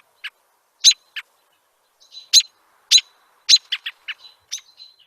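American Robin giving sharp, toneless chirps and clicks, spaced irregularly at about two per second, with a few softer notes between. No other sounds are heard.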